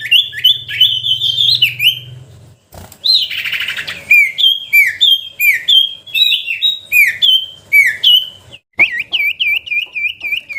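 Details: Common iora, its best whistle variations in a chattering song style: many quick downslurred and looping whistles in lively phrases, some rasping notes, and a faint low hum early on.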